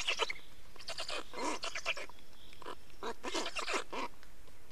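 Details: Black storks at a nest in Estonia, 24 May 2019 at 15:15, during a nest change and feeding; harsh, rasping broadband bursts in clustered runs, loud and close, over steady low background rumble.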